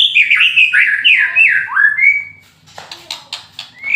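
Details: Moulting white-rumped shama, fighter type, in kretekan style: loud rich warbled phrases sliding up and down for two seconds, a short pause, then rapid harsh crackling clicks in bursts ending on a rising whistle.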